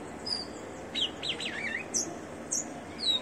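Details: Ringed rufous-collared sparrow kept in captivity, singing briefly: thin high whistles, then a quick wavering run of slurred notes dipping and rising, followed by further high whistled notes against constant low noise.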